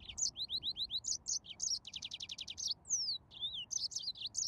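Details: Yellow-fronted canary song with a series of identical high chirps, a rapid buzzy trill, then long descending whistles before returning to bright chirping.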